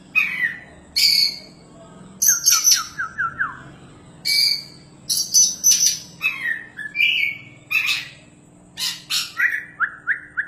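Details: Champion Oriental magpie-robin singing hard: rich medley of high whistles, rasping buzzes and quick stuttered series of short descending notes, phrases repeated with brief gaps; a soft low hum in the background.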